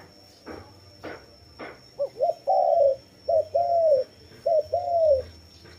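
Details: Dove calling after three sharp taps, giving three low cooing phrases, each a short rising note followed by a longer, gently falling coo, roughly one phrase per second.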